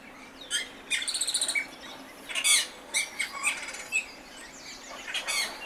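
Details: An Austral thrush delivers a sequence of quick, high twittering phrases and sharp slurred notes, with one louder emphatic note midway and irregular short gaps between phrases.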